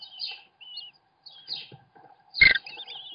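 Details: Webcam at an American kestrel nest during a feeding by the father: short whining, wavering high calls separated by quiet gaps, then a loud harsh burst with thumping near the end.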